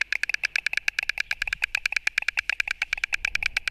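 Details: White storks fighting, live nest camera in Latvia, 29 March 2024: fast, steady rattling clatter of sharp dry knocks, several per second, continuing throughout.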